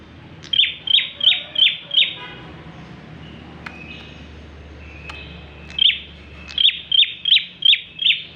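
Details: Bar-winged prinia in lively song, a recording used as a lure for other birds: a run of five sharp, high chipping notes, a pause with faint background sounds, then another fast run of six or seven notes.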